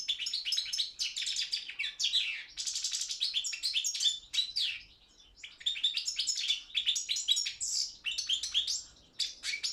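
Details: Competition goldfinch, Carduelis carduelis balcanica, singing for a Serbian-run internet world championship: dense, almost continuous twittering with rapid liquid trills and buzzy notes, one short break near the middle before the chatter resumes.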